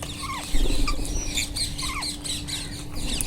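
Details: Wild Indian ringneck parakeets giving a few loud, sharp shrieks that sweep downward, spaced irregularly, with high chatter behind and a steady hum and rumble in the background.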